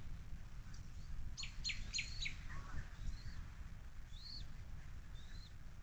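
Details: Bald eagle pair at a nest at Little Miami Conservancy, jointly feeding three chicks, 10/04/2024; thin high chittering notes in quick bursts, then a few short rising-falling squeals, over steady low background rumble.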